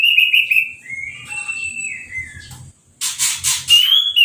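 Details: After moult and a bath from a hose, an uncovered orange-headed thrush sings long, clear whistled notes that glide up and down. A brief pause is followed by a loud hiss of water spray and then a rising whistle.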